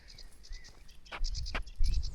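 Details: A sedge warbler sings from a small bush beside a lake fishing spot in France in summer, with damselflies and dragonflies about. It gives a quick, scratchy chatter of high repeated notes over heavy wind rumble and a couple of sharp knocks.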